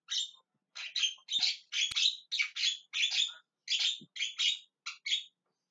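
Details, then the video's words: Javan myna screaming and calling: a run of about ten loud, harsh, rasping squawks in short bursts, some doubled, spaced irregularly across nearly six seconds, with no other sounds. "JALAK KEBO TERIAK TERIAK MEMANGGIL"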